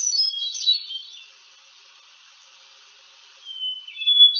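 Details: Hermit Thrush song, expected in New England in April among spring ephemerals: a flutey, ethereal phrase that spirals in high, ringing notes, fades into echo, then begins again on a long clear held note.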